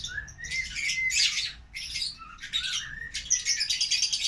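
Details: African lovebird siblings, tamed pets in an aviary cage, produce a rapid run of shrill, scratchy squawks and thin rising whistles, packed tightly together with barely a gap.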